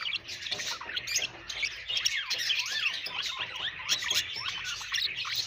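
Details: Budgerigars chatter together in an unbroken stream of sliding, squeaky whistles and scratchy chirps from many overlapping voices.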